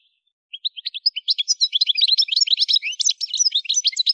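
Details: Algerian goldfinch, Souk Ahras region of Algeria (Kef El Hammam), singing: spaced rising chirps quicken into a continuous, liquid, high twittering flow of varied notes.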